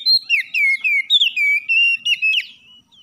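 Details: Oriental magpie-robin song recorded in the morning to spur a lazy caged bird into singing: a run of loud, clear whistled notes, each sliding downward, delivered in quick succession, then a brief quiet ending.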